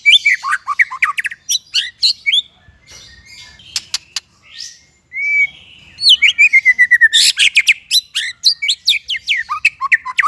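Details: Extended shama singing: fast clusters of sharp downslurred notes, a soft warbling interlude, a long clear whistle, then dense rapid trills and whistled phrases with sudden pitch jumps.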